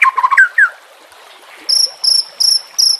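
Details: White-rumped shama song used to train captive birds, full combined fill: a few quick warbled notes, then four evenly spaced high thin whistles, each a short steady tone, over faint background.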